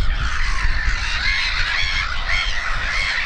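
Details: Black-headed gull chicks and adults at RSPB Snettisham in Norfolk, late May 2018: a constant wall of many shrill, overlapping harsh cries from the colony, with a gusty low wind rumble underneath.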